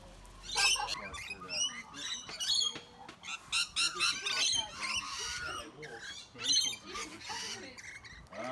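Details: Rainbow lorikeets bullying much bigger birds, including sulphur-crested cockatoos and bush turkeys. Harsh, shrill screeches and squawks come in rapid irregular bursts, several overlapping, with a man's voice talking between them.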